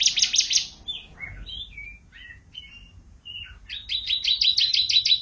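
A canary opens with a fast, high trill, slides through varied whistled notes, then ends in another rapid, bright rolling trill. No other sounds stand out.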